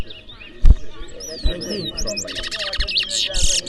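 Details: At a Berbice bird ground in New Amsterdam, Guyana, a twa-twa in a singing race gives a few thin downslurred whistles, then a rapid burst of harsh, buzzy, stuttering notes. Bumps and talk sound underneath.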